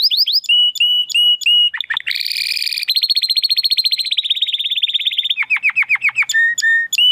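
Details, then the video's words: A male Timbrado Español canary hatched in 2020 sings a training song for other canaries: a fast, varied song of bright repeated notes, rattling trills and dropping whistled phrases, switching tour every second or so. "Canary 's Training Song"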